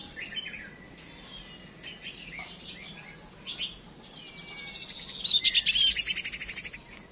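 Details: A female songbird used as a decoy calls to spur males into singing, giving thin high whistles and chirps with a buzzy rapid trill near the end.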